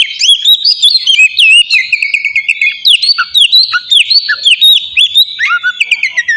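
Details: Lure recording of an oriental magpie-robin singing ngeplong, meant to make untrained birds sing: an unbroken, rapid stream of loud whistles, sliding notes and chirps, sweet and varied throughout.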